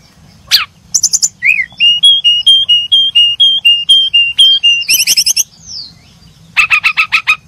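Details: Brown-chested jungle flycatchers chirp in a steady chain of about fifteen short whistled notes alternating slightly in pitch, framed by quick clicking bursts and a final fast run of sharp ticks.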